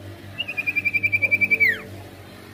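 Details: Sirtu, a lively singer, in a rolling-variation song for provoking other birds: a rapid pulsing trill on one high pitch ending in a steeply dropping slur, over low background hum.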